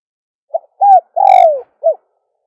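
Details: Dove cooing to call in other doves: a tiny opening note, an arched coo, a long coo gliding downward, and a final short note, given once and cleanly with nothing else heard.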